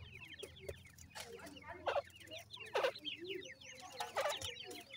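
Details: An Iranian partridge (teetar) feeding its brown chicks gives harsh, clucking bursts roughly every second, over constant thin, high chirping from the chicks or other small birds.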